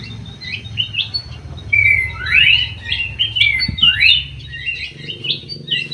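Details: Greater green leafbird singing in an aviary: a varied run of clear whistled notes and swift rising slurred sweeps, phrases following one another with little pause, over a low background hum.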